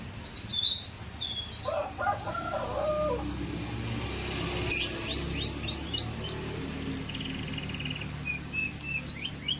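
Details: Scotch Fancy canary delivering scattered high whistled notes and short downward sweeps, with a few lower warbled phrases early on and one sharp click midway.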